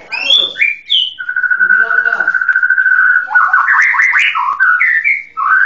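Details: White-rumped shama song opening with quick high whistles, then one long steady whistle with a fluttering trill underneath, followed by a burst of fast varied rising and falling whistled notes.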